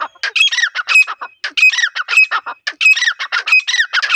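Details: Wild female grey francolin, its call played to lure birds for trapping: loud, harsh, squawking phrases of clustered rasping notes in rapid bursts with short gaps, repeated throughout and dominating the recording.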